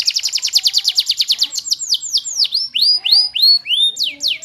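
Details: Canary delivering a rapid trill of high repeated notes that slows into broad arching sweeps, each note loud and distinct.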